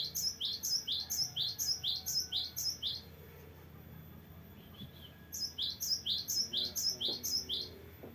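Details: Cinereous tit delivering long varied rolling song, high sharp two-part notes repeated rhythmically in two runs split by a brief gap; a few soft clicks and low background noise audible.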